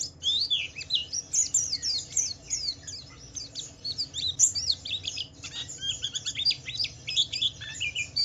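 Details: Nonstop high twittering from a Pleci Wiklus Wiksar white-eye, a 'ngalas' style song played to coax other white-eyes into singing; bursts of quick chirps and slurred whistles with a short pause midway.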